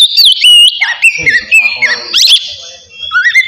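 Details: Oriental magpie-robin singing in relaxed open style, used to provoke singing and breeding drive in other kept birds: clear whistled looping notes, downward slurs and a sharp burst of high notes, with faint low background sounds.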